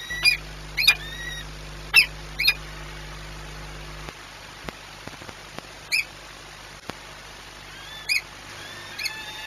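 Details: Courting peregrine falcon at its nest at Orlen Płock, Poland, on 6 March 2021. Shrill, chipping calls come in quick pairs early on, then sparser single squeaks. Faint clicks and a low hum fade out partway through.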